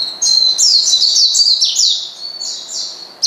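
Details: An Oriental white-eye calls out a rival to rile it up, pouring out a continuous, high-pitched chattering twitter of quick descending slurred notes with barely any pause.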